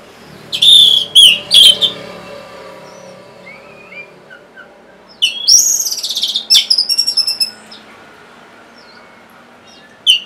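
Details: Orange-headed thrush song used as a lure for birds that are stalled or lazy to sing: loud whistled phrases, then a fast twittering chattering run with scattered softer chirps in the background.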